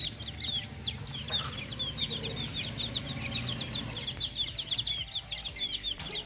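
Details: Little domestic chicks at play in a cage, many birds peeping at once: rapid high cheeps, some slightly rising or falling, forming a steady busy chorus over a low background hum.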